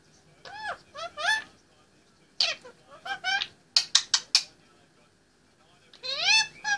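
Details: An 18-month-old Indian ringneck parakeet talks from its play stand, producing speech-like phrases with curved harmonic glides, a run of sharp clicky syllables, then a final rising-and-falling vocal sweep.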